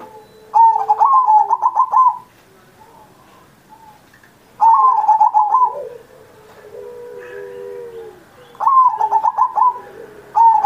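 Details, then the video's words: Energetic zebra dove song recorded for Indonesia's Independence Day, meant to coax pet doves still learning to sing: three fast, trilled, stuttering coo phrases separated by pauses, with quieter lower coos and a soft short coo in between. "Perkutut Masteran Manggung Gacor Mancing Burung Lain"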